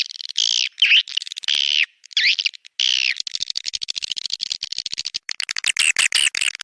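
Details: Swiftlets on a lure recording for swiftlet farmers: several drawn-out, rasping chirps with downward sweeps, then rapid clicking rattles building into dense high twittering.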